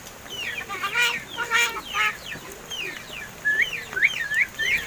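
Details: Captive seven-month-old mynas, hand-raised and said to have begun talking, give a series of clear whistled upslurs and downslurs with bright rising-and-falling notes, some harsher broadband chirps in the first half, in a quiet room.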